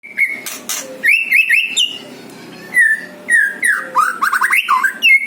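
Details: White-rumped shama song in natural sound, used as a lure: loud, varied whistled phrases of rising and falling notes with sharp slurred sweeps, in quick bursts separated by short pauses, against a quiet background.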